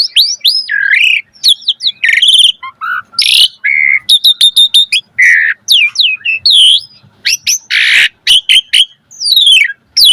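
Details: Gacor Asian pied starling song full of isian, played as masteran pancingan for jalak birds: dense mix of whistled slurs, harsh rasping blasts and quick repeated clicks without pause.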